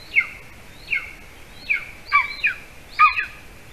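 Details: Golden eagle nest in Latvia, evening of 06-12-20, during a prey delivery by the adult male to the chick; thin, high chirps slurring downward, about one every 0.8 seconds, some doubled near the end, over a steady background hiss.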